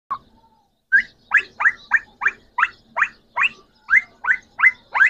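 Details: Green Pakistani talking parrots, three birds: a series of about a dozen short, rough, upward-inflected squawks given in quick succession, roughly three per second.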